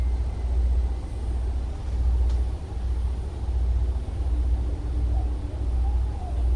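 Loud, steady engine drone from passing traffic with a deep pulsing hum, no animal calls.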